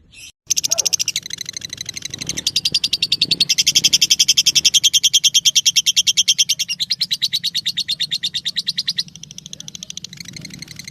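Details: Lovebird song used as training material for other birds: a long, fast stream of shrill chattering pulses, about six per second, rising after a short pause and running on almost nonstop, over a steady low hum.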